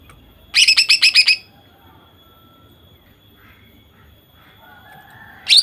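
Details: A female greater green leafbird singing to provoke males into song gives a quick burst of about seven sharp, high chirps in under a second, then a brief final note, over a faint steady whine.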